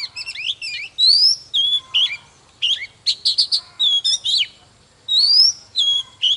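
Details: Oriental magpie-robin, a mature wild-caught bird, singing fired-up morning song with display: rich varied whistles, upslurred and downslurred notes in dense phrases, a few short pauses, background quiet.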